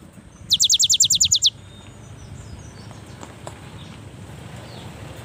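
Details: A single quick, sharp trill of around ten high notes from a young cinereous tit, sung to encourage reluctant birds, followed by quiet with faint background hum.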